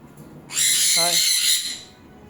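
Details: Pet sun conure gives one long, harsh, grating screech lasting over a second while a woman coaxes it in Bengali to come and take food, her voice briefly heard beneath the call.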